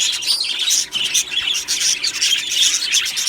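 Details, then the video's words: Budgerigars in an aviary colony, 1 July 2025: rapid bright chirping, about three notes a second, mixed with whistled warbles from several birds. "beautiful Budgie birds chirping sounds"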